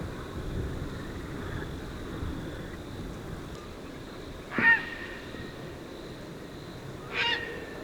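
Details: Tricolored heron from Argentina: two brief harsh squawks, the first near the middle and the second near the end, over a steady low background hiss.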